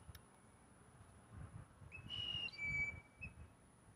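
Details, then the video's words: Blue jay mating call, with males competing for one female: a piping flute-like whistle in two held notes, the second slightly lower and brighter, over soft low background rumble. "Listen To The Blue Jay's Mating Call"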